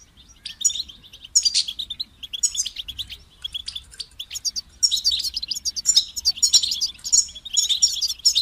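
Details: European goldfinch in full song: bright tinkling twitters and buzzy trills, sparse at first and then flowing into a long, dense run of notes.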